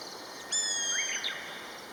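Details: One of a pair of common buzzards calling to each other gives a sudden loud, high, harmonic-rich whistle. It holds steady for almost a second, then drops away in quick downward slurs.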